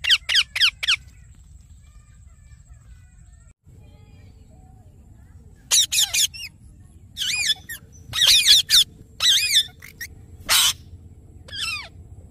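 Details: Yellow rose-ringed (ringneck) parakeet giving shrill, screechy squawks in short bursts, several rapid notes at a time with pauses between; a low hum runs underneath.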